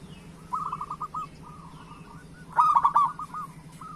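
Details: Local zebra dove singing to coax silent or moulting doves into song: soft trilled coo runs, then a louder rapid rolling phrase of several notes near the end, over constant low hum.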